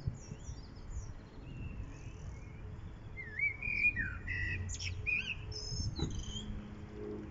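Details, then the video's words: Common blackbird singing on 1 April 2021 in Lanfertsweg near daffodils; rich warbled whistles mixed with sharp high chirps and squeaks, other thin twitters heard early on, steady low ambient hum. "singende Amsel"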